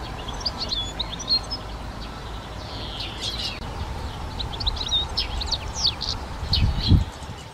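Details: European goldfinch in a garden giving loose, high twittering and tinkling notes spread through the clip, with low background hum and a couple of soft thumps near the end.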